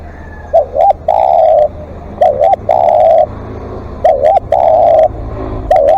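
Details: Spotted dove used as a live decoy, giving long calls: three phrases, each a short hooked double coo followed by a long level low coo, repeated about every two seconds, with sharp clicking sounds overhead.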